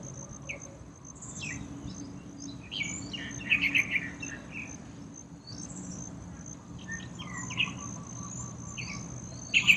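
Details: Yellow-vented bulbul, a common resident town bird, at a small courtyard water pool while bathing; scattered quick chirps and clustered bubbly notes sound over a constant high-pitched insect buzz.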